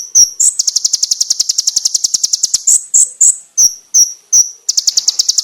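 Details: Konin bird master song with sharp, clear shots: a sustained rapid high trill of about two seconds, followed by single piercing whistled notes at regular intervals and a fresh trill at the end.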